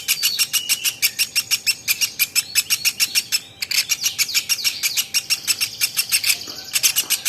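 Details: Velvet-fronted nuthatch, a champion bird in a masteran training recording: a fast, steady run of sharp, dry high chips, about three per second, with thin whistled notes layered over the top.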